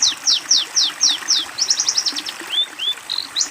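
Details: Long-tailed shrike tutor song for young birds: five loud descending whistles in steady rhythm, a quick chattering cluster of high notes, then two soft arching slurred whistles and a final chirp.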